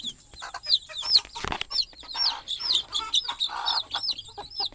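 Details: Small chicks peeping beside their sleeping mother hen on a nest perch at night: clear, high, looping chirps about twice a second, with a brief rustle near the start and a few faint lower clucks.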